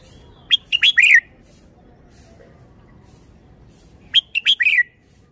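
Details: Red-whiskered bulbul delivering its admired, well-phrased song: two matching phrases about three and a half seconds apart, each made of three or four crisp whistled notes closing on a downward-curving slur.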